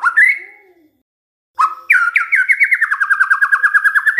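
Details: Lure recording of a white-rumped shama meant to make other shamas sing: a single rising whistle, a pause, then a long, fast trill of evenly repeated notes with a few upswept whistles at its start.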